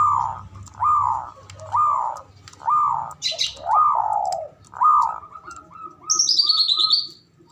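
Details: Male zebra dove calling in ngoar manggung style to excite mating: rasping arched notes about once a second, then a few short clipped coos, with a brief high chirp and a descending high-pitched bird twitter near the end.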